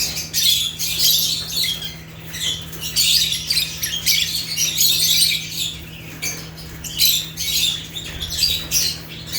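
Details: Shrill, raspy chirping from African lovebirds (Agapornis), repeated squeaky bursts rising and falling in loudness throughout, with a continuous low hum behind.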